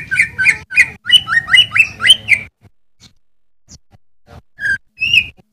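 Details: Sooty-headed bulbul song used as a master recording for tutoring cage birds and stirring quiet birds to sing: a quick run of bright, clear whistled notes that rise and fall, then a pause and a few scattered chirps.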